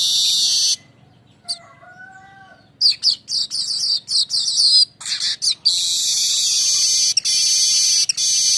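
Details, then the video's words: Rolling 'ngerol' song of a streaked weaver used to attract birds: a buzzy opening, soft whistles, a burst of fast scratchy chatter, then a long steady sizzling trill. "suara besetan ngerol burung Manyar"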